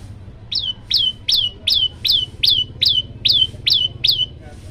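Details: Hungry olive-backed tailorbird singing actively in a long-shot variation: about ten sharp, high downslurred notes repeated roughly every 0.4 seconds, over a faint low hum.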